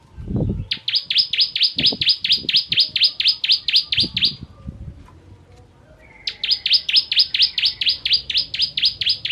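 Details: Bar-winged prinia (ciblek) singing for songbird training: a long run of rapid, piercing downward-sweeping notes, a pause, then another fast series; low thumps beneath the first part.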